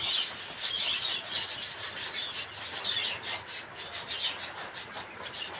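A zebra finch sings a rapid string of harsh, buzzy, rasping notes.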